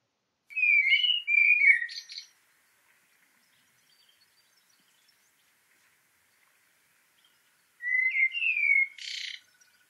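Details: Common blackbird singing its fluty song in a very good quality recording: two clear phrases of mellow, whistled descending notes ending in a higher squeaky flourish, separated by about five seconds of silence.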